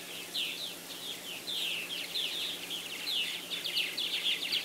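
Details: Purple martins at a busy nest-house and gourd colony in South Florida on 24 April 2012 chatter in a steady, overlapping stream of bright gurgling chirps and rapid twittering, with many birds calling at once.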